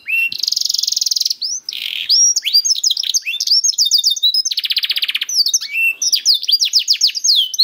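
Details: Canary song to encourage other canaries to sing: long buzzy rattling trill, a lower buzz, then varied quick chirps, another harsh rattle and rapid sweeping note runs.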